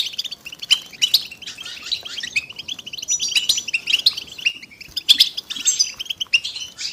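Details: Stimulating chorus of European goldfinches: continuous high tinkling chirps and fast trills from several birds at once, with brief sharper notes now and then. It is intended to encourage silent males to start singing.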